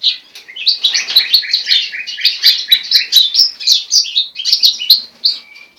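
A goldfinch × linnet hybrid sings a fast, continuous run of bright twittering and tinkling notes, high-pitched and varied, with no other sounds.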